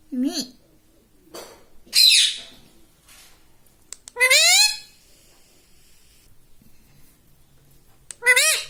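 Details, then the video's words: Pet rose-ringed parakeet taught to talk, saying words like Mummy, Papa and Mitthu; a few short, scattered, nasal harmonic squawks separated by quiet gaps, with a final rising-falling burst at the end. "Mummy Papa Bolunga || Talking Parrot || Mitthu Mitthu"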